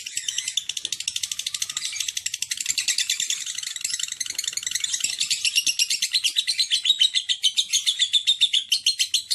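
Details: Lovebird in nonstop high chattering song, a dense buzzy stream of rapid notes pulsing steadily for over nine seconds, growing slightly louder and more rhythmic toward the end, with nothing else clearly heard.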